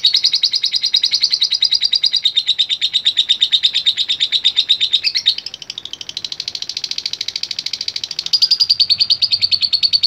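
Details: Lovebird ticking in 'ngetik' style, reacting to a lure recording: continuous rapid high clicks, dropping quieter around mid-clip, then surging loud again with a slightly higher pitch toward the close.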